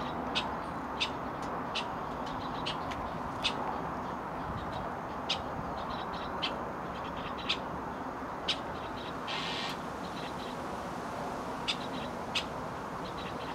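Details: Chestnut-cheeked Starling parents raising chicks in Hokkaido, bringing food and carrying away droppings; short, sharp, high notes repeat about once a second over steady broadband background hiss.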